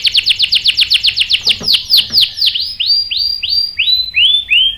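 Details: Canary singing to stir males into answering: a quick run of falling notes that slows into drawn-out, swooping whistles, each rising then dropping, spaced further apart toward the end.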